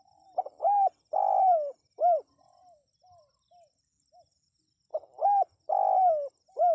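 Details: Spotted dove calling, used to draw wild birds to respond: two short rising hooked coos, then a long level croon. The phrase repeats twice with a few soft trailing notes between, over a faint high steady whine.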